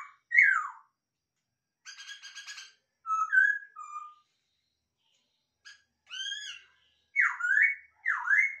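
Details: Masked laughingthrush kept in captivity gives a varied phrase: a falling slurred whistle, a buzzy harsh burst, short clipped whistles, bright arched notes and two sharp V-shaped whistles at the end, with silence between phrases.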